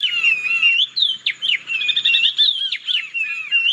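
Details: Oriole Warbler duet, a scarce bird of thickets near water bodies: loud, rich whistled notes swooping up and down and overlapping in quick succession, with a faint low rumble early on.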